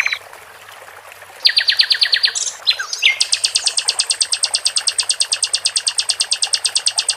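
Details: Sikatan londo flycatcher in a cage, singing a buzzy pulsed phrase, a short pause, then a long fast steady trill of high ticking notes, about three per second, lasting several seconds.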